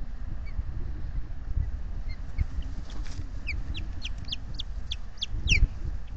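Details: Osprey pair at a solar-powered nest camera, Salt Point, Finger Lakes, USA, afternoon of 12 May 2021, alarmed by intruders flying overhead: a series of short rising chirps begins midway and quickens, over heavy wind rumble.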